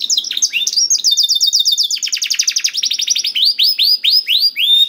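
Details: Canary song meant to prompt a quiet canary into singing: rapid rolling trills and repeated high buzzy notes, then a series of rising whistled syllables, continuous and loud throughout.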